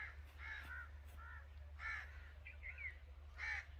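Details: Short, hoarse caws from an angry crow, spaced unevenly across a few seconds, with a constant low droning hum behind them.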